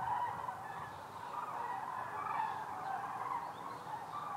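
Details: Common Cranes passing over Hessen, central Germany, on autumn migration toward Spain: many overlapping bugling calls blend into a steady, rolling chorus from a large flock.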